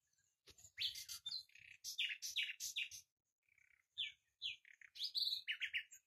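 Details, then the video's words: Dense, varied singing from a Common nightingale: rich chirps and sweeping notes tumble in quick succession, a brief gap, then rising whistles and sharp repeated notes resume. "بلبل هزار دستان آواز"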